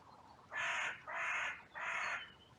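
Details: In a sunny cemetery, a trail camera catches crows calling out after two of them fought and others rushed in. Three loud, rasping caws follow one another closely, each drawn out and hoarse.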